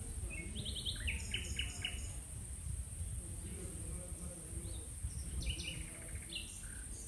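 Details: Nightingale singing: short bursts of repeated chirping notes and quick trills in the mid-high range, separated by brief pauses, over a steady low rumbling background noise.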